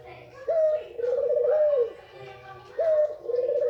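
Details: White hen Barbary dove giving its male-arousing call. Twice a crisp short note is followed by a long, purring, wavering coo that slowly dips at the end.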